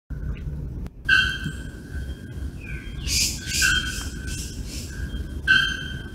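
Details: Bare-throated bellbirds in São Paulo Botanical Garden, Brazil, August 2024, give loud, ringing metallic anvil-like notes, several in a few seconds, over a steady low rumble.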